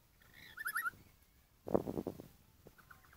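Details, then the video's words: A caged lory offered for sale gives a quick burst of bright, harmonic chattering notes, followed by a louder rough, noisy squawk, with knocks and room noise in the background. "Burung Nuri Suara Mantap"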